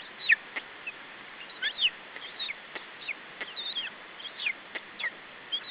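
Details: Estonian lesser spotted eagle nest, July 2012: the chick guards its food from an adult with thin, high squealing whistles. Calls are scattered and uneven, some with a quick downward slur, with faint tapping sounds in the background.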